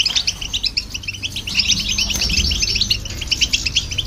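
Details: European goldfinch singing together with a goldfinch hybrid, played to stimulate other birds: a dense, rapid, tinkling twitter of short high notes and trills running almost nonstop through the clip, over a low background rumble.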